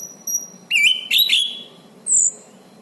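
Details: Orange-banded thrush in full, vigorous song, used as a master recording for training and as therapy for birds that have stopped singing. A few short phrases: a rising whistled note, then quick bright slurred notes and a high thin whistle, over faint background hiss.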